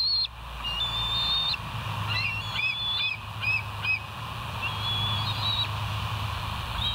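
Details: Bald eagles recorded by a live nest camera at West End on 31 August 2023, 07:05: thin whistled notes and short sharp chips alternating throughout, some notes held level, others clipped and falling, with a constant low hum underneath.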